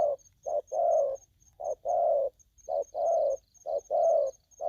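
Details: Aggressive spotted dove cooing steadily, with about nine low hollow notes alternating short and longer, at a fairly even pace. A faint continuous high-pitched tone is audible behind them.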